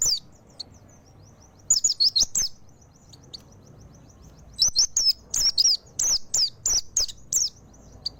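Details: Full-voiced mountain white-eye song: short groups of piercing, downward-swept twitters separated by pauses, strongest in a lively run over the last few seconds.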